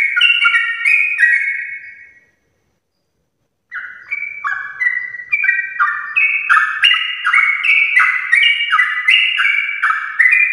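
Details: Energetic morning 'ropel' song of a sooty-headed bulbul, meant to prompt other bulbuls to join in. A burst of fluty, descending notes breaks off into about a second and a half of silence, then resumes faster and louder.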